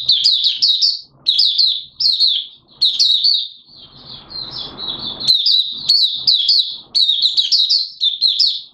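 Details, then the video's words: Malaysian Oriental white-eye recorded in Singapore on 29 March 2023 in warm, humid weather with sudden showers, singing a rapid, high, twittering warble in bursts of a second or so, with brief pauses and a soft rustle between phrases. "Mata Puteh Buka Sing"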